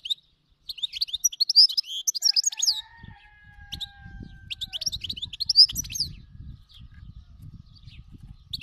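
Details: Wild-type European goldfinch song, locally called khalawi: a fast cascade of bright twittering and buzzy high notes, then a second burst after a pause, with a faint sustained whistle and low background noise.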